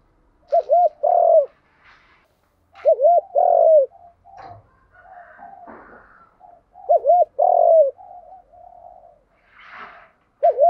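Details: Spotted dove in the đồng gù vấy thúc cooing style, a lure for training wild-caught and decoy birds. A phrase of a quavering double note and a long loud coo repeats roughly every three seconds, with soft murmurs between.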